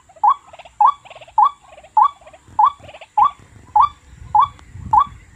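A waterhen repeats a short, upslurred croaking note with a bubbly tail, about every half second in a steady rhythm, over faint low rumbling background noise.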